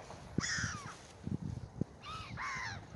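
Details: Gulls feeding on bread on the Oder river in Frankfurt (Oder), Germany, give harsh, nasal, downslurred cries: one drawn-out call early, then two more in quick succession near the end, over low thumps and splashing.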